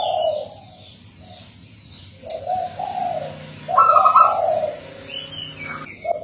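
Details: Zebra dove song used as a lure for training local birds: a short coo opens, then after a pause a longer rolling, trilled coo phrase, while sharp high chirping notes from other small birds sound throughout.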